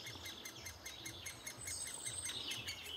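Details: Great spotted woodpeckers feeding their young in June 2011; quick repeated high pulsed notes at first, then a louder, harsher squeaky burst of chattering in the second half.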